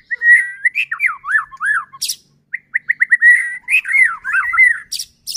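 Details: White-rumped shama song used as a lure to provoke other shamas into singing: rich whistled phrases with slurred up-and-down notes around mid pitch, a quick run of short repeated notes, and sharp high buzzy bursts between phrases.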